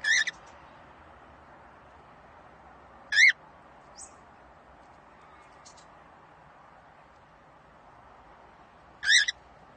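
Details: A pet cockatiel gives loud, short, rising-then-falling calls, spaced several seconds apart, over a quiet hiss.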